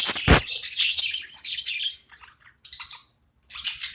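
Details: Budgerigar kept as a pet, chirping during play: one sharp low thump at the start, then bursts of high scratchy chatter separated by quiet gaps.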